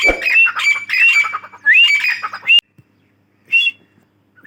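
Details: Female grey francolin (Dakhni teetar) calling: harsh, loud squawking notes with rising whistled tones repeated rapidly for over two seconds, then a pause and a couple of short rising notes.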